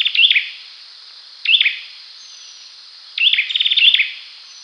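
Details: Olive-backed sunbird calling and singing: short bright chirps, then a rapid run of sharp, high, ticking notes near the end, spaced by quiet gaps, with a steady high hiss behind.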